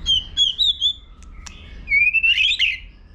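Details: White-rumped shama competition song meant to rouse young birds: rippling high whistles, a pair of sharp clicks, then a long rising buzzy phrase climbing to a rich flourish before fading.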